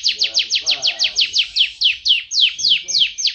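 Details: Yellow long-necked canary with a loud voice singing as master song: a steady series of swooping downslurred notes, about four per second, each slightly longer and fuller toward the end.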